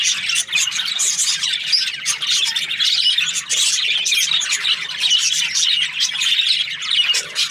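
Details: Budgerigars kept as breeding pairs, many birds chattering at once: dense, high, continuous chirping and warbling with sharp squawks, no pauses, over a faint low hum.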